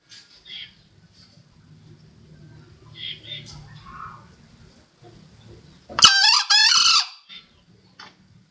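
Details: Crow of a green junglefowl used to lure birds for trapping: one loud, rasping two-part crow near the end, about a second long, after quiet murmuring voices and low background hum.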